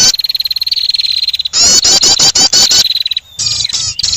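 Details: Prinia call used to lure birds for trapping: a sustained rapid buzzy trill leads into louder, harsher bursts of chattering notes, then a short gap and a final scratchy chatter.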